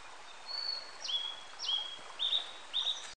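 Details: Blue-and-white flycatcher (Cyanoptila cyanomelana), song.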